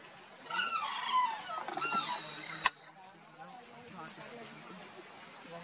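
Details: A pair of sarus cranes (Antigone antigone) foraging in a field in Uttar Pradesh give a loud burst of harsh, trumpeting calls over about two seconds, ending in a sharp click, then quieter background noise.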